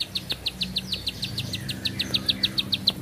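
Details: A bar-winged prinia sings a rapid train of sharp, high ticking notes. A faint thin whistle slides through the middle, and a low hum sits underneath.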